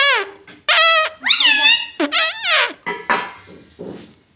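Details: Pet parrot, tagged as a green ringneck, mimicking human words, apparently "mummy" and "mitthu": a run of short, harmonic-rich, speech-like syllables with bending pitch, several loud bursts in quick succession followed by fainter trailing ones, in a small indoor room.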